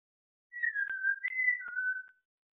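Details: African grey parrot, a pet, rehearsing the tune "Bella ciao": a clear whistled phrase of long smooth notes, one falling slightly, then a higher held note dropping to a lower one, with a few faint clicks in a quiet room.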